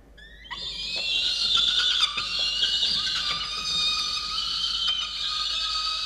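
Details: Wild peregrine falcon in a nest box on a water tower in Orange, New South Wales, Australia, 8 November 2022, angry at its mate for not bringing breakfast: one long, harsh, harmonic wail held steadily for about five and a half seconds.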